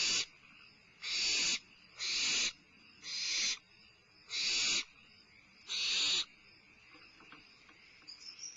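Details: At Starr Ranch on 22 May 2011, a barn owl owlet feeding at midnight utters five loud rasping hisses, each about half a second, spaced about a second apart, then falls quiet apart from faint rustling.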